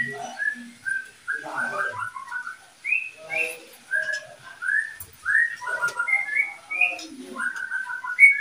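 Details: Oriental magpie-robin, one of a breeding pair, giving a long series of short, clear whistled notes roughly every half second, mostly level or gently rising, with a few scratchy lower sounds between them and faint background noise.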